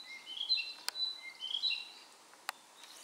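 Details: Narcissus flycatcher perched on an overhead wire along a shaded wooded trail on Mount Maya, Japan, on 4 June 2017, singing repeated clear whistled phrases, with two sharp clicks in the background.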